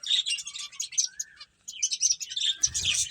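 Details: Finches at play chirp in quick high bursts, pausing briefly near the middle before a louder flurry of tweets with a low rumble at the end.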